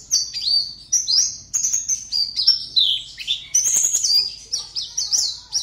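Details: Caged competition Oriental white-eye, Pontianak, Indonesia, sings a lively chain of high slurred whistles and sharp chips, some phrases sliding downward, delivered rapidly and steadily over near-silent background.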